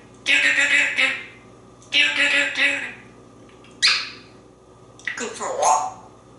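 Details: A pet African grey parrot, male, mimicking in a quiet room with soft talking: four raspy, speech-like bursts, the last a bending, cat-like meow imitation, as he heads to the kitchen wanting lunch.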